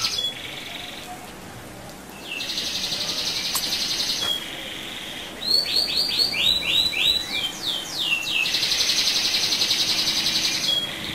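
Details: Provocative rolling song of a canary: a short high phrase, a steady two-second trill, a burst of six or seven rapid descending whistles, then a long continuous high roll to the end.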